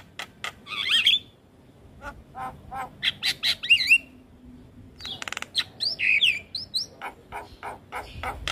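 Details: A Javan Myna sings a varied, chattering song of harsh squawks, clicks and rising whistled notes in irregular bursts with short pauses. The recording is offered for training young mynas to sing.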